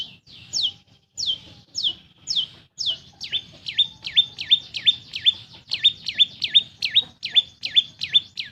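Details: Long-tailed shrike, a kept bird, singing loudly as a lure to make silent birds sing: a rapid series of sharp descending whistled notes, then repeated V-shaped chirps about twice a second, with a low hum beneath.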